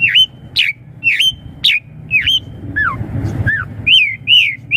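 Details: Asian pied starling song used to lure young birds into answering: a run of loud whistled, swooping notes near the top of the range, some rising and some falling, repeated about twice a second, over a low background rumble.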